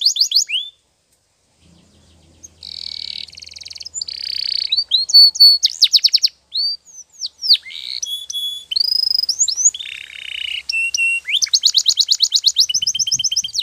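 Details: Canary training song full of variety: buzzy rattling passages, short pure whistles, sharp clicks and fast repeated trills, separated by brief silences.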